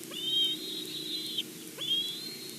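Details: Bald eagle at its nest at Big Bear, bringing a game bird as prey, recorded by a live nest camera; two long, thin, high whistles, each swept up sharply then held level for about a second, over a low steady hum.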